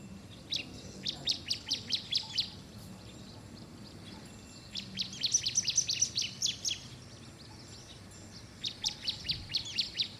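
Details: Bar-winged prinia (Prinia familiaris) giving three bursts of rapid, high, sharp chipping notes, each run of about a dozen notes lasting one to two seconds, with quiet background hum.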